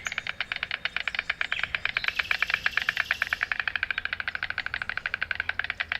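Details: White stork bill clattering in a fast, dry, wooden rattle of about ten clacks a second, running steadily for six seconds; a voiceless signal used in greeting, courtship and warning.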